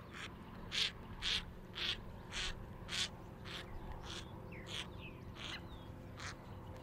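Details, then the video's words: White-cheeked pintail giving a series of harsh, noisy quack-like bursts, roughly two per second, louder in the first half and fading toward the end, with faint thin chirps from other birds and a steady low hum beneath. "White-cheeked Pintail"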